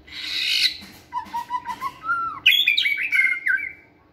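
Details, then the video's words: Caged white-rumped shama singing energetically during flight-cage training: a harsh buzzy burst, a row of soft low whistled notes, then loud bright whistled phrases that fade out. "Giọng chòe lửa hót rực rỡ đầy năng lượng"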